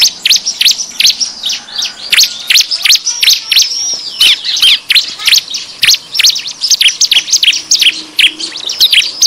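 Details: Busy 'ribut' call of the bar-winged prinia, played as a lure for wild birds: sharp high chirps pour out about two or three a second in an irregular stream, several voices overlapping.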